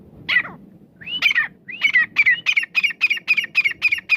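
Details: Grey francolin, the desi teetar, calling: a few spaced harsh notes open, then a fast, steady series of sharp, ringing notes about four per second, with faint low background rumble.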